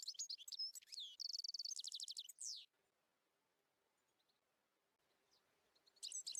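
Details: European goldfinch (Carduelis carduelis) song: a fast, tinkling jumble of high twitters, buzzy trills and liquid notes for nearly three seconds, then silence before a brief final burst; males sing for months before breeding to attract females.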